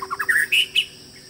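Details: White-rumped shama giving a short burst of bright whistled notes that step upward in pitch, ending in two sharper, higher slurs, with a quiet background and a faint low hum.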